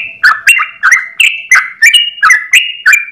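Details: Brief stretch of sooty-headed bulbul 'ropel' morning song, meant as a master recording for other bulbuls: loud, clear whistled notes with sharp onsets and sliding tails, repeated roughly every third of a second.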